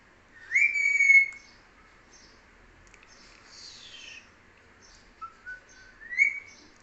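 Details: Talking parrot producing a clear whistled phrase near the start, then a softer raspy sweep, and a few short rising whistles toward the end, in a quiet indoor setting.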